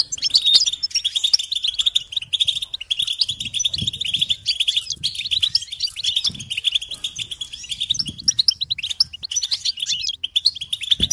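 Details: A long, unbroken stream of European goldfinch song, recorded as a tape for teaching chicks and songbirds: busy, tinkling twitters and chattering trills repeated without pause, with faint low knocks in the background.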